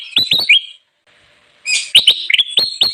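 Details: Bulbul song used for luring wild birds: quick rising whistled notes with clicks, a near-silent pause of about a second, then a loud burst of chattering, clicking and upslurred whistles.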